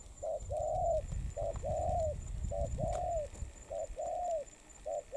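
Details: Spotted dove, wild-caught and molting, giving repeated two-part coos: a short note and a longer slightly falling coo, about once per second, over low background rumble.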